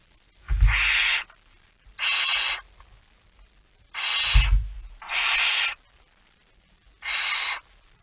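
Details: Barn owl at its nest at 05:28 on 19 September 2019, during feeding: five loud, rasping hiss-screeches of under a second each, irregularly spaced, with two dull low thumps beneath.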